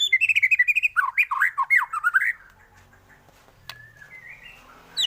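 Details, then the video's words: White-rumped shama singing a lively 'gacor' song full of 'isian' fill-in variations, used as a master for training other birds: about two seconds of rapid, varied whistled notes sliding up and down, then fading to quiet with faint background noise. "MURAI BATU gacor full isian varasi paling cocok untuk masteran burung cepat bunyi gacor"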